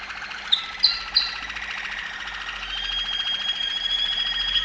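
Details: Waterslager Malinois canary, Serbia: three sharp clicking notes, then a long, smooth, sustained rolling trill that swells gradually, steady and whistle-like.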